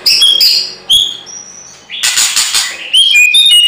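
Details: Agitated white-rumped shama bursting into loud, very high whistles and harsh noisy blasts, separated by brief pauses, then a quick sequence of sharp clear notes; steady low background hiss.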